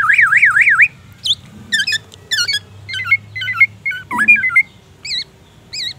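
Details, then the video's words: Black-naped oriole in a cage, its song full of learned white-rumped shama phrases: a loud wavering warble, then a varied string of squeaky hooked whistles and chips in quick bursts, separated by short pauses. "Kepodang gacor full isian murai batu"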